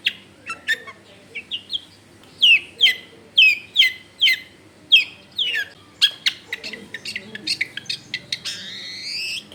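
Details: Long-tailed shrike singing as a lure for other shrikes: a string of clear falling whistles, then sharp chips and a harsh rising rasp at the end.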